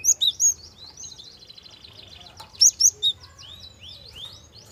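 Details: Java sparrow producing a gentle lure song to prompt young birds: three crisp high chirps open, followed by buzzy trilling, another triplet of ringing notes and a series of sliding whistled twitters.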